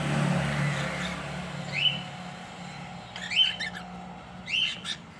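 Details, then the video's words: A pet cockatiel pair gives three bright upslurred whistles, spaced roughly a second or more apart, each with a brief chattery burst. A low rumble runs beneath them. "My Lovely Cocktail | Cocktail Bird pair"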